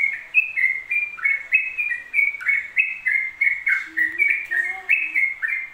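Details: Rapid, continuous ropel singing by a yellow-vented bulbul, a cascade of sweet whistled notes bouncing up and down in pitch, with a soft low warble audible faintly in the background.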